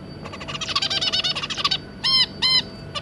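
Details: Zebra finch family, two adults and three juveniles, kept indoors: a quick buzzy chattering song phrase lasting under two seconds, then two loud nasal honking calls and a short click.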